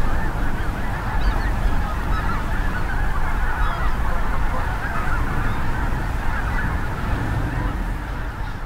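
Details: Huge spring migration flock of geese, mostly Snow and Greater White-fronted with some Ross's, Canada and Cackling, at North Ottawa Impoundment, Grant County, Minnesota. Dense overlapping honks and yelps form a continuous chorus over strong, low wind rumble from a 25–30 mph wind.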